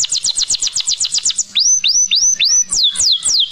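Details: Canary singing: a fast series of high descending notes, then upward-sweeping whistled slurs repeated about three times a second, ending in rapid falling notes.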